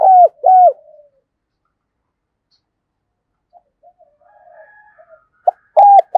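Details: Decoy Spotted dove in a dueling coo session: two hollow coos open, then a pause with faint low murmurs, and another pair of deep coos begins at the end.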